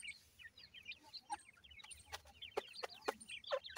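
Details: Francolin chicks giving high, thin, down-slurred peeps in fast overlapping runs, joined by sharp tapping clicks that grow more frequent toward the end.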